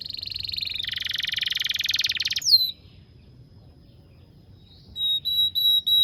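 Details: Canary song used as a training recording to teach young canaries to sing: a fast buzzy trill, then a lower rapid rattle, a sharp falling note, a pause, and clear whistled notes repeated near the end.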